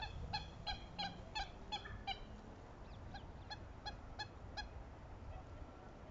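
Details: Pair-bonding southern screamers giving loud, rich honks in quick succession, roughly three per second, with a second, thinner voice breaking in partway through, as though two birds alternate; low background rumble throughout.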